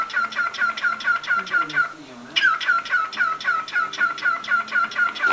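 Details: Cockatiel kept as a pet calling steadily with clipped, downward chirps about three per second, one short break, then the series resumes, with faint household voices underneath.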